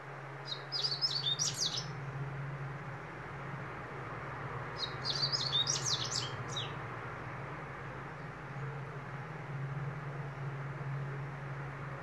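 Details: Double-collared seedeater singing two fast bursts of high, twittering, buzzy warbled phrases a few seconds apart, each lasting about two seconds, over a steady low electrical hum.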